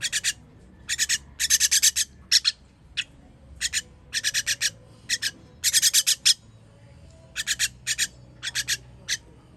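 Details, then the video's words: Feeding baby birds, 21 June 2023, keep up a long series of rasping begging calls in repeated clusters of three to five scratchy bursts, with steady pauses between groups. "Baby bird baby bird feeding"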